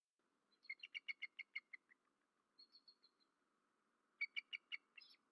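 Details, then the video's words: Nighttime calls of a male bald eagle near the nest, Rome, Georgia, 13 March 2024: a string of about ten shrill, squeaky chittering notes that weakens toward the end, then a later short burst of four piercing notes over a faint hum. "Berry College Eagles~Missy Gets Disturbed Just After Midnight-Wing Slaps At Something-Vocals"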